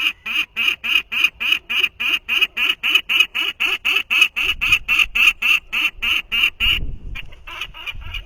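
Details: Peregrine Falcon chick at its nest in 2023 imitating the father's call, first heard only a few days earlier: a long regular series of coarse, rasping notes about four a second, ending with a brief rustle and a few weaker notes.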